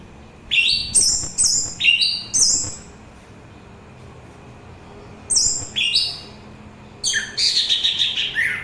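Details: Orange-headed thrush song: short bursts of bright, varied whistled and slurred phrases, mostly high, sung in two clusters with a silent gap of about two seconds between them.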